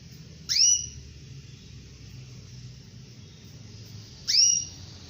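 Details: Female canary calling to the male: two single high, clear whistled calls about four seconds apart, each a quick downward-curving note held briefly, with a faint low hum in the background.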